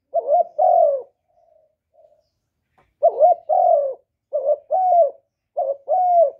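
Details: Spotted dove calling and cooing, used to stimulate other males: soft, low, hollow coos in paired phrases, a short note then a longer drawn-out one, repeated with a pause between groups, in clean quiet surroundings.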